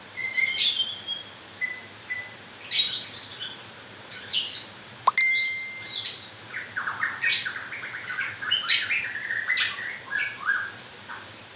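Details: White-rumped shama newly in moult, varied grewek song of scratchy chatters, brief whistles and a long steady whistled note near five seconds, continuing into dense rapid harsh phrases.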